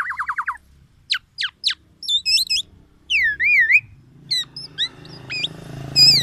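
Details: Black-naped oriole delivering a song full of oriental magpie-robin imitations, meant to challenge other orioles; quick downslurred notes, sharp upward strokes, then wavering whistled slides over a faint low background hum.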